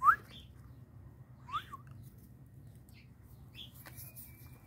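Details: Red-winged tinamou, known locally as perdiz, giving two loud, short whistled notes that sweep sharply upward about one and a half seconds apart, followed by fainter higher chirps over a steady low hum.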